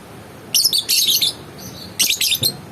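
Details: Lovebird letting out two loud bursts of fast, grating, high-pitched chattering chirps separated by a brief gap, with a soft low thump at the end.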